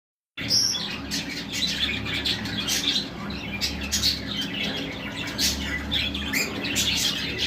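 Budgerigars chatter with a busy stream of high chirps, squeaks and warbles.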